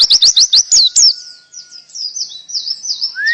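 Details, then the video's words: Canary-style song with rapid 'tembakan' bursts: a fast run of sharp, high chirps repeated about four times a second, then softer, warbled high twittering and a brief rising whistle at the end. "Pleci Full Tembakan kenari canary"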